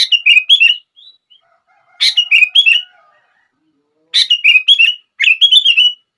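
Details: Sooty-headed bulbul song of lively, gurgling whistled notes. The phrases open with a sharp note and follow in quick succession, with brief pauses between bursts.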